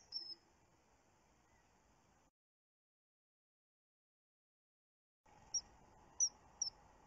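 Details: Common kingfisher recorded on 29 June by a webcam: after a stretch of silence, three or four short, shrill, very high whistled notes sound about half a second apart over a faint background hiss.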